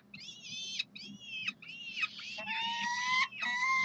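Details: Peregrine falcons at the University of Calgary calling for food on a Saturday morning, 9 June 2012: long, harsh, harmonic wails, several in a row with short gaps, the last ones lower and steadier.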